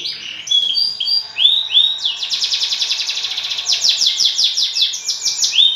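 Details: Champion canary singing a lure song meant to provoke other canaries into singing: high whistled slurs open into a fast, bright trill of rapidly repeated rising notes, then further buzzy rolls, all sustained and energetic.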